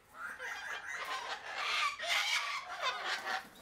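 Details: Harsh, grating squawks from a sulphur-crested cockatoo, repeated in close succession with slightly rising and falling tone over a few seconds.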